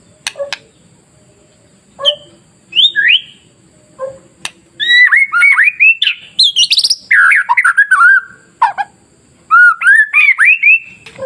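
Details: Masteran song of a white-rumped shama to draw other shamas into singing: sparse clicks and short notes at first. Then a dense, varied stretch of fast whistled warbles, buzzy high trills and looping phrases, ending in rising whistles.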